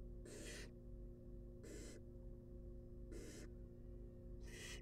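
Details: Young wild barn owls being fed in a research nest box give four rasping, breathy hisses, spaced about 1.4 seconds apart, with constant low hum beneath.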